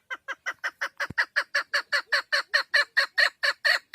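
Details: Female Chukar partridge used for hunting, delivering a fast, continuous string of loud, raspy chuck notes, a little over two per second, with one sharp click early on.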